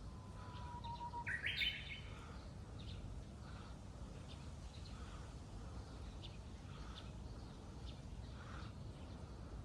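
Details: Japanese bush warbler starting its spring singing at a waterside park on a morning of fierce west wind: one long steady whistle jumping into a quick bright rising-and-falling flourish, over heavy roaring wind with faint scattered chirps afterwards.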